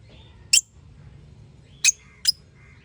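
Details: Parrot-family bird giving three sharp, very high, clipped chirps, one alone and then a quick pair about half a second apart, over a quiet low background hum.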